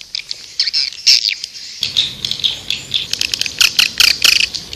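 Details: Swiftlets chattering to draw in birds: squeaky, high chirps in uneven clusters, growing denser and louder after the second mark, with a light background hiss.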